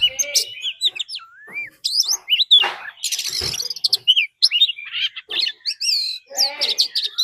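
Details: Fighting song of a decoy Oriental magpie-robin with a wild female calling, meant to excite birds: varied whistled phrases, slurred rising notes and scratchy chirps, quieter and broken by short gaps.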